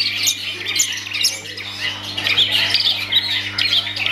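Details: Kept long-tailed shrike giving harsh squawks and squeaky chatter mixed with short high whistles, in uneven bursts, over a constant faint low hum.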